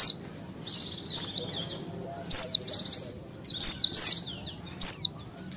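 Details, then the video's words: Female Oriental white-eye in breeding condition calling to males: high, thin descending notes repeated roughly every 1.2 seconds, each followed by softer twittering, with quiet low background hum. "pleci betina birahi memanggil jantan"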